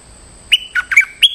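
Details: Stripe-throated bulbul lure recording for a territorial resident: a brief phrase of four loud, sharp whistled notes, the last rising.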